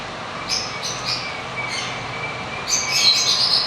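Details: Blue lovebird in a breeding setup giving short, sharp, high chirps in two bursts, a few quick notes early on, then a denser squeaky cluster near the end, over a steady broad hiss.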